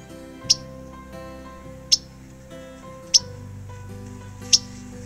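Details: Painted Bunting calls, played back for comparison with the Indigo Bunting: four sharp, very high, clipped chip notes, each about one and a half seconds apart. A low, sustained background music bed runs underneath.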